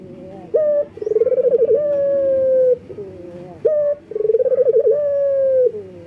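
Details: Local collared dove male in heat calling a female: two phrases, each a sharp rising note followed by a quick run of pulses and a long level coo, with a quiet background hum.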